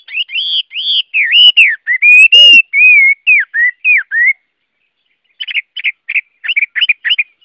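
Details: Chinese hwamei (Garrulax canorus) song: a long run of loud rolling looping whistles and slurs, a silent gap, then a rapid sequence of short sharp chirped notes.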